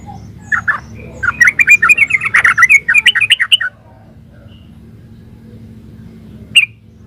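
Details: A yellow-vented bulbul sings a fast gacor ropel run: over two seconds of tumbling, liquid chirps in quick succession, then silence with steady low hum and a single sharp note near the end.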